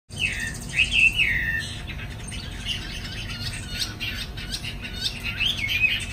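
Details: Caged Chinese hwamei, afternoon, flaring its wings: loud slurred whistled phrases swooping between mid and high pitch in the first two seconds, then softer varied warbling notes and a few rising whistles near the end, over steady low background hum.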